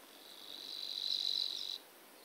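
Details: Savi's warbler (Locustella luscinioides) at Stupava, Malacky, Slovakia, reeling song: a fast, even, insect-like buzz held at one high pitch, swelling in volume for under two seconds, then stopping abruptly.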